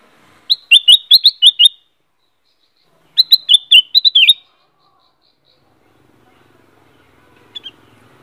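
Black-crested bulbul giving two quick bursts of six or seven bright, bubbling whistled notes, a couple of seconds apart, in an otherwise quiet setting.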